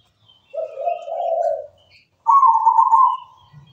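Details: Zebra dove of local stock singing: a low, soft, rolling coo phrase, a brief pause, then a higher, louder trembling trilled coo, with faint high whistles in the background.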